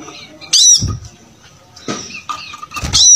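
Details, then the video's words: Brown-throated sunbird singing vigorously, kept as a model for training other birds; shrill high squeaks come in three loud bursts, each with a dull thump or rustle beneath. "Pancingan Suara Kolibri Kelapa Gacor"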